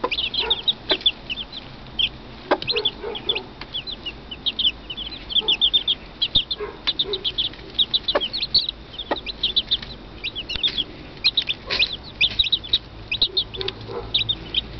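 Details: Domestic chicks giving a steady stream of shrill, short cheeps, overlapping and continuous throughout, many birds calling at once with occasional lower clucking notes.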